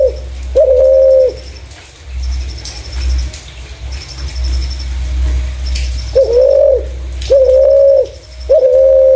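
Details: Clear-voiced spotted dove, its call used to lure other doves: one low hollow coo opens, a long pause follows, then three more level coos come in quick succession against faint high-pitched ticking.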